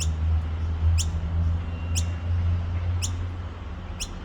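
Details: Young noisy miner at Petrie Creek, Nambour, giving sharp, high descending squeaks repeated about once a second, over a steady low rumble of traffic.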